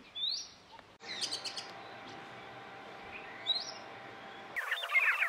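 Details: Male Oriental magpie-robin singing before dawn, under a still-dark sky, near Forsyth Lodge, Satpura, Central India, to proclaim territory and seek a mate: clear, rising whistled phrases and a burst of varied chattering notes, with pauses, over a steady low hiss.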